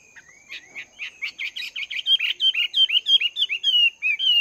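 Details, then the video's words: Wild-caught Chinese hwamei in its second month of caging, training its voice in the morning: buzzy chattering notes lead into a brisk series of bright, down-slurred whistles, several each second. "Chim Hoạ Mi Mộc VIP 2 Tháng Lồng Luyện Giọng"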